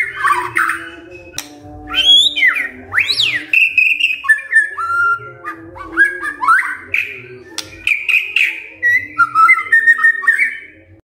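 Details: White-rumped shama song played as a lure to prompt other shamas to answer: rapid varied whistles, rising and falling slurs and sharp notes in continuous bursts over a steady low hum.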